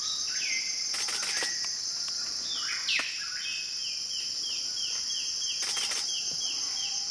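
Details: Arfak Mountains, West Papua, with a Wilson's bird-of-paradise calling: one sharp descending sweep, then a quick run of about a dozen short, even, downslurred notes, roughly three per second, over a constant shrill insect drone.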